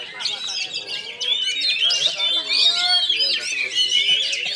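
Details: Contest-winning Oriental magpie-robin at a singing competition in Kinali, Pasaman Barat, performing a dense run of varied chirps, slurred whistles and harsh notes in quick succession, with people chatting underneath.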